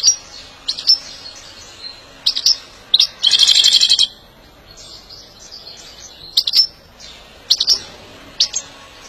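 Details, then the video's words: European goldfinch singing during song training meant to excite it into song: bright high twittering bursts and sharp chirps scattered over nine seconds, with a dense buzzy trill lasting nearly a second in the middle. "saka kuşu kızıştırma ve ötüş eğitimi"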